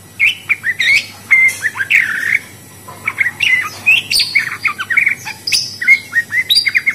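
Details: Australian budgerigar chattering with rapid twittered chirps and a few drawn-out buzzy notes, busy bursts broken by a brief pause midway.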